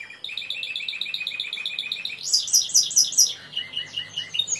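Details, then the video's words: Song of a Timbrado canary, a rolling trill of quick repeated notes that jumps to a brighter, higher pulsing rattle, then drops into lower chirped phrases. "تسجيل طائر كناري تمبرادو#timbrado_canary_song"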